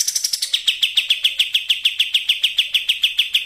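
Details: Sooty-headed bulbul song used as bait to set other birds singing: a higher opening run drops into a fast, regular string of about five sharp chips per second at an even pitch, with a clean background.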